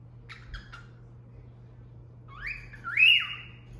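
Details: Female cockatiel kept indoors, taught by its owner to give a cat-call whistle: a few faint chirps, then a loud rising whistle that swoops upward and falls away, over a low steady hum.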